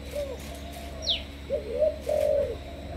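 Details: Malaysian-strain spotted dove, a captive decoy bird of the 'sấm thổ' voice style, gives a few soft, low, hollow coos with gaps between them. A brief high descending whistle from another bird cuts in near the start.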